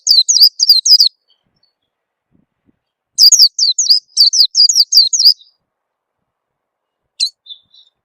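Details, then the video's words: Oriental white-eye lure call to encourage a bird to begin singing: two short bursts of rapid, high, twisting chirps separated by nearly two seconds of quiet, then a single sharp note and a faint thin trill. "suara pikat burung peleci bakalan biyar cepet bunyi"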